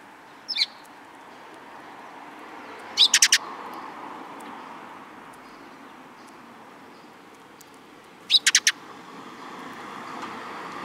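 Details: Sparrow chirps on 13 April 2022 come in three separate bursts, each a short rapid cluster of high notes, with long quiet gaps of steady background hiss between.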